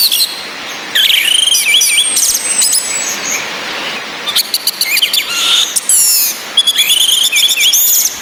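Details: Female orange-headed thrush calls, used to excite breeding drive in males: dense runs of rapid high chirps and short whistled slurs, fairly loud, over rain-like background hiss, male thrush song mixed in.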